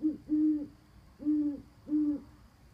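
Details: Low, steady hoots from owls on a roof, recorded 29 October 2014: four even notes, the first two close together, then two more roughly 0.6 seconds apart, over faint hum.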